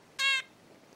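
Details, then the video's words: A hand-reared 20-day-old red-billed leiothrix chick indoors gives one rich, buzzy, bright nasal harmonic note of about a quarter second in a quiet room. It is the species' classic adult-like contact call. "Bu klasik seslenme ötüşü Hint bülbüllerinin."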